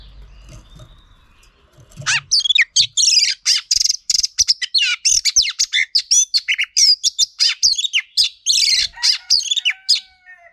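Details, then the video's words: Song of a female Oriental magpie-robin, used to stimulate males in song training: after two seconds of quiet, a dense, sustained stream of rapid high chirps and short trills. "Choè than mái kích trống hay nhất"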